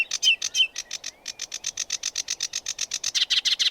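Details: Sedge warbler (Acrocephalus schoenobaenus), song.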